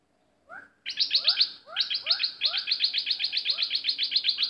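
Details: Caged bulbul used to lure wild birds opens with a rising note, then launches into a fast, buzzy chatter of high chirps about four per second, with soft rising whistles underneath.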